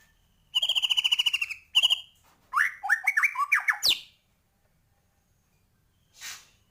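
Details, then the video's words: White-rumped shama in lively song: a fast buzzy trill, a short repeat, then a cascade of varied whistled and chattering notes ending in a sharp downward sweep, followed by a faint rustle. "Murai batu gacor,, full isian cepet naikan emosi burung"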